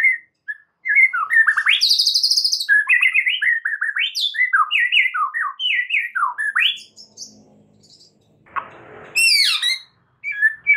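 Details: White-rumped shama master song meant to provoke singing: a long, varied stream of loud whistled and buzzy phrases, a brief rustle, then high rapid notes. No other sounds.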